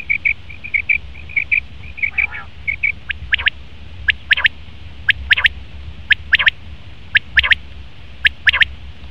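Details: Male common quail giving sharp, clipped three-note phrases, each burst of quick high notes repeated about once a second, after a run of short, even tonal pips at the start; a brief nasal call near two seconds.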